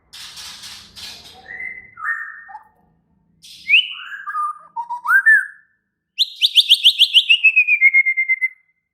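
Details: Agitated, excited white-rumped shama: a string of descending whistled slurs and short notes, ending in a long rapid pulsed trill that falls in pitch, with faint hiss at the start.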